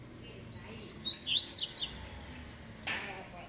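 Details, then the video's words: Double-collared Seedeater (tui-tui song type) giving a quick run of about six high, sweet whistled notes, some sliding downward, over a second or so, followed by a brief clack. "COLEIRO TUI TUI"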